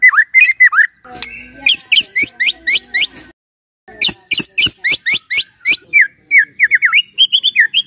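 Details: White-rumped shama singing in the morning to coax a silent shama: opening slurred whistles, then bursts of rapid high sharp notes alternating with lower whistled phrases, faint background rustle.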